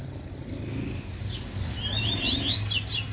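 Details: Yellow-bellied seedeater disputing, a brief quick phrase of bright slurred whistles climbing into rapid sharp chirps near the end, over a low rumbling background.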